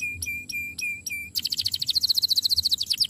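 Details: Canary singing a master song: four evenly spaced two-part chirps, then a sudden fast rolling trill of bright repeated notes, slightly slowing at the end.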